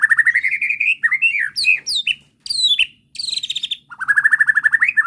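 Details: White-rumped shama song used as a bait recording to provoke an agitated bird into answering and showing its repertoire: rapid trilled notes climbing steadily in pitch, then sharp varied whistles and slurred phrases with brief gaps, ending in another rising rapid trill.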